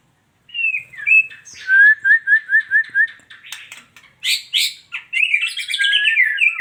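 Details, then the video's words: Female white-rumped shama: slurred whistles, then a run of six quick repeated whistled notes, followed by harsh buzzy bursts and a rich warbling phrase. "suara burung muray batu betina"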